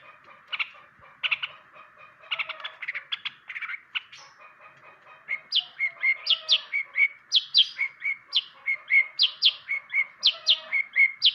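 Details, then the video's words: A long-tailed shrike starts with spaced buzzy chattering notes, then settles into a loud series of rising, whistled upslurred chirps, about two per second, over a continuous low hum. "burung cendet pastol rawatan kawan belajar bunyi"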